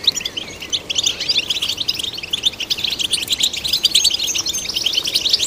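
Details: European goldfinch song, played to stimulate goldfinches kept by breeders; a dense, unbroken stream of rapid, high tinkling twitters and chirps with fast trills, running nonstop for the whole stretch with no other sounds.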